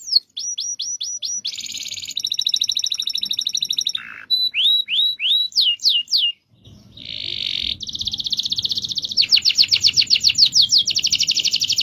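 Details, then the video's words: Canary's long rolling song: quick repeated whistled notes, buzzy rattling trills, swooping downslurs, then rapid rolling trills, with faint background noise in the later part. "MASTERAN KENARI NGEROL DURASI PANJANG"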